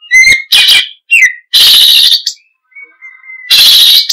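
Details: Oriental magpie-robin giving harsh, loud buzzy bursts alternating with short whistles and a thin, level whistled note held for almost a second.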